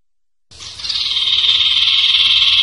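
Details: Common iora (cipoh) singing in the sertu style. A master recording for training songbirds gives one long, even, buzzy, hissing note that swells from soft to loud. Background is quiet.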